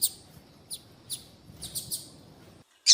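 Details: Female double-collared seedeater calling. A handful of high, thin chips come at irregular intervals, then a sudden loud, shrill note at the very end.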